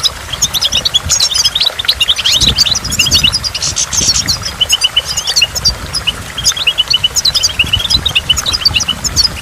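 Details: By a waterfall among water drops, goldfinch song runs as a dense, continuous high twitter of quick chirps and trills, almost unbroken, over a faint low rush.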